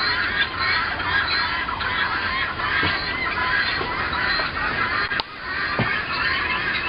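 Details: Guineafowl across the road in February–March 2010, recorded indoors and on a porch: relentless overlapping raspy, scratchy calls from a group, with a sharp click midway.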